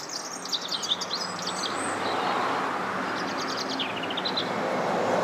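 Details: European robin song: thin, high, rapid twittering phrases, varied and sweet, given in two bursts with a short pause, over a steady broadband rumble of background noise.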